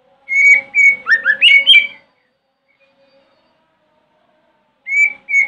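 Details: Morning song of a white-rumped shama used to coax other shamas to answer: two steady whistles, then a tumbling run of rising notes, three seconds of silence, then two more clear whistles.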